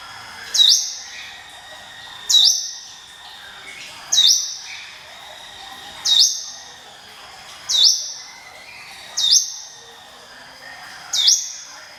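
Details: Hill prinia giving its 'ngiwit wit' song, used as a lure for other birds: sharp, high upslurred whistled notes, each followed by a brief level tone, repeated about every 1.8 seconds over a quiet, steady background.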